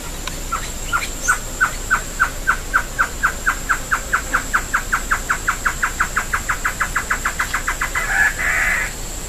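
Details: Great antshrike singing a long series of about thirty short bouncing notes that gradually speed up over eight seconds, finishing with a rough growling snarl; a constant faint high-pitched whine underlies the song.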